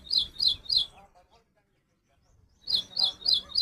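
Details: Little woodstar chirping: a run of three sharp, high chirps about three per second, a short pause, then another series of four similar chirps.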